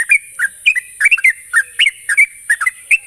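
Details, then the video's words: Sooty-headed bulbul song used as a lure to get a young, untrained bird singing quickly. Rapid bubbling whistled notes come in short two- and three-note phrases, closely packed, over a steady high hiss. "pancingan burung trucuk bahan agar cepat ngropel"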